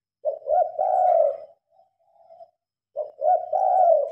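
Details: At night under switched-on lights a spotted dove coos, phone-recorded: two cooing phrases, each a brief stuttered note followed by a drawn-out purring coo, with a faint soft coo in the gap.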